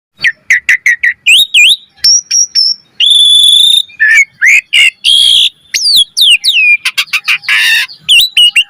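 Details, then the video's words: Asian pied starling singing energetically with full variation, used as a lure and master recording for training birds: rapid loud whistled notes, rising and falling slurs, and harsh buzzy bursts in quick succession, with no other sounds. "Pancingan Jalak Suren Gacor Mompa Full Variasi - Masteran Suara Burung Jalak Cepat Gacor Full Isian"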